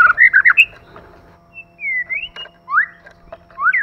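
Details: Singing white-rumped shama, male and female kept together: a fast warbled burst of whistles, then separate long slurred rising and falling whistles with short pauses between them.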